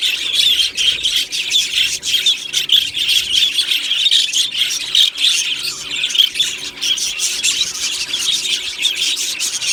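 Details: Australian budgie parrots in an aviary, 1 July 2025, squawking and chirping: a loud, continuous mass of high rasping squawks and twitters from many birds.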